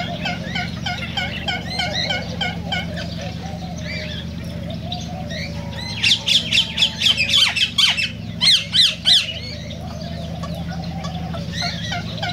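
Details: Cockatiel vocalizing, played to stimulate mating and singing: a midway run of loud, harsh squawks repeated in quick bursts, set against a busy backdrop of chirps, short whistles, low clucking fowl-like calls and a steady low hum.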